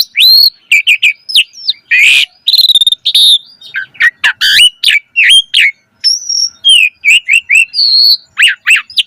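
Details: Chattering song of a Javan pied starling performing a pumping display: rapid high chips and slurred whistles, a brief harsh rattle, and a few longer level whistles, all packed closely with only short pauses.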